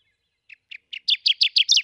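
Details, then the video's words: Kirtland's warbler, recorded at Stephan Bridge Road, Crawford Co., Michigan, sings a quick run of about eight bright, emphatic notes that start soft and swell louder and faster toward the end. "Kirtland's Warbler Song"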